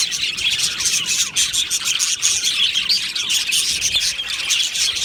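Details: Many budgerigars in an aviary chatter at once, shrill twittering and short clicks blending into a constant high-pitched buzz of overlapping calls.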